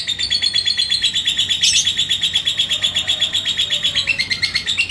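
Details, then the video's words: Indonesian yellow lovebird, 'labet koneng', answering a rival's song with sustained ngekek, a rapid, even stream of high piercing chatter notes that barely pauses, briefly shifting lower toward the close. "si LABET KONENG Burung GACOR ke Pancing NGEKEK"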